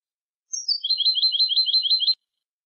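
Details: European goldfinch song meant for tutoring young goldfinches: a descending twittered opening flows into a fast, even run of paired high tinkling notes lasting about a second and a half. Clean, quiet background.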